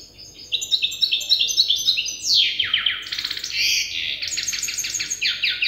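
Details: A young goldfinch hybrid practising the song it is learning from an older hybrid: a string of short high notes, then steep downward-sweeping trills and rapid rattling phrases.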